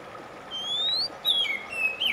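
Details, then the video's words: Oriental magpie-robin (kacer), played to relax a stressed bird and get it singing: a long, clear rising whistle, then a bright high note dropping into slurred descending whistles and a final sharp upturn, over soft background hiss. "RELAKSASI AMPUH KACER SETRES MACET TOTAL CEPAT BUNYI"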